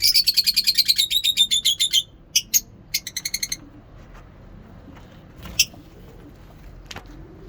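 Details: In the morning at a mini zoo, lovebirds give a two-second burst of rapid, shrill chirps sliding slightly downward, then a few sharp high chips before fading into quiet background chatter.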